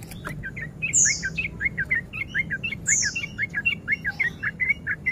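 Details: Breeding-condition male sooty-headed bulbul used as a fight-provoking lure, in a rolling 'ropel' song: steady stream of short chirped notes with two high falling whistles, against faint low hum.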